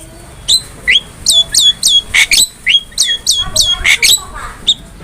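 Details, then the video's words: Javan myna master recording for training cage birds: evenly spaced, clear downslurred whistles, about three per second, broken by a couple of harsher squawks. "MASTERAN JALAK KEBO GACOR"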